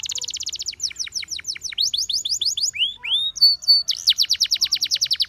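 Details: Canary song meant to call and set other canaries singing, made of fast rolling trills of repeated rising-falling notes, a short pause with two slurred whistles, then another rapid rattling series.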